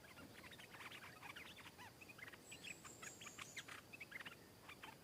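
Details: Stripe-throated bulbul, a wild bird answering a caged one and striking at it; repeated bubbly chattering phrases, with a thin high drawn-out whistle partway through.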